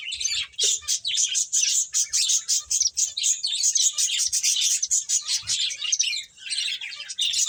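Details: Finches at play give a steady, crowded chatter of high tweets and chips, pulsing in quick bursts with barely any pause for over seven seconds.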